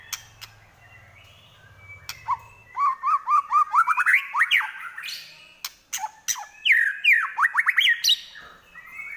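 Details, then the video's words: White-rumped shama in fighting song: after a low hum, a fast series of rising whistled notes speeds up and climbs, then more quick sweeping bursts, with sharp clicks between. "Murai Lepas Trotol Tarung"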